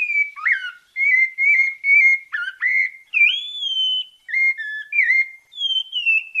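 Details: A Bahia pale-breasted thrush (sabiá parda) gives its 'santa fé' song, a melodious run of clear whistled phrases, some rising and some falling, about two each second in a mid-high pitch with no other sounds.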